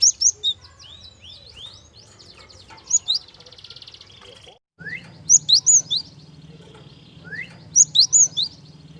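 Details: Java sparrow, gentle lure song for provoking young birds into song: triplets of loud, clear high chirps recur every few seconds above constant soft chattering, buzzy trills and a brief break midway.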